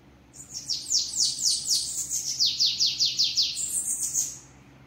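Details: A bananaquit delivering its 'treme treme' song forcefully: a long string of about fifteen fast, downslurred buzzy notes, evenly pulsed, ending in a thinner, higher trill.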